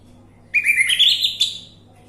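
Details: Orange-headed thrush song as a lure recording meant to trigger singing: a quick warbled phrase of slurred whistles rising slightly, ending in a sharp higher note, with a low steady hum underneath.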